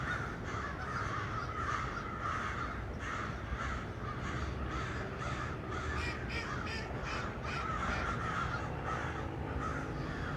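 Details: Chorus of crows perched in trees on 1 November 2022, rough cawing calls repeated and overlapping throughout.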